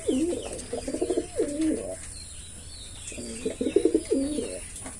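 A male pigeon gives two bursts of low, throaty, bubbling coos, each about a second long, with a faint high hiss behind.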